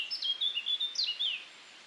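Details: On a very windy June 2019 day in Wiltshire, UK, a male Eurasian blackcap sings a quick, rich warble of clear fluty notes rising and falling for just over a second over faint hiss; Sylvia atricapilla song.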